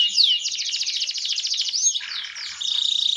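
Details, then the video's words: Fan tail canary singing a fast, dense high trill that slides upward, then drops into a lower rattling phrase and ends on a quick even series of repeated notes; sung as a tutor for other canaries. "your canary will sing after listening to the fan tail canary"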